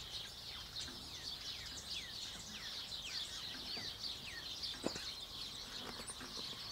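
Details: White-eared honeyeater (Lichenostomus leucotis) sipping sugar-solution nectar from a sports-bottle feeder, giving quick, sharply falling whistled notes, about two each second, over a steady high hiss and one sharp click.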